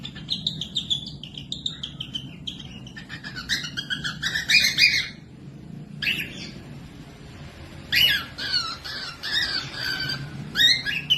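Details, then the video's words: Cockatiel song used to train lazy or young birds to sing: dense runs of chirps, buzzy harmonic notes and squawks in loud bursts, a brief quieter gap, then more chattering phrases over faint hum. "Cocok buat pemasteran falk yang malas bunyi langsung nyaut pemasteran cockatiels"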